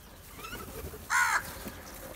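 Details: Crows gathering for food: a single loud, rasping caw lasting about a quarter second, with soft background chirps and outdoor ambience.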